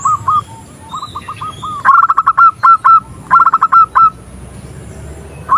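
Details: Female zebra dove calling a male, used to prompt male song. Quiet rolling coos lead into two loud phrases of rapid clipped notes ending in trilled cooing, with a pause between them.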